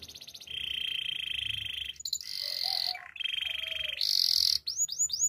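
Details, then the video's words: Canary song used for training: sustained buzzy rolls alternating between lower and higher pitches, ending in a string of quick downward-sweeping whistled notes. "Active canary singing makes your canary sound"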